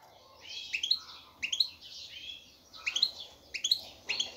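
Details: Male European goldfinch singing to attract a female for mating; short bursts of tinkling twitters and upslurred notes, repeated roughly every second against a faint background hiss.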